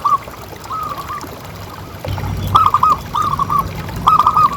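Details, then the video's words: Local zebra dove with a loud voice, kept as a pet, used to lure other doves into calling. Several cooing phrases of quick repeated notes with a trailing coo, alongside a low rumbling background. "Suara Paling Ampuh Untuk Pancingan Burung Perkutut Agar Bunyi Terus"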